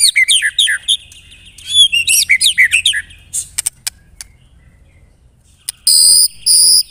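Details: White-rumped shama (murai batu) singing a lure phrase: quick jumbled whistles and chirps, then scattered clicks, a pause, and two loud buzzy rattling bursts to close.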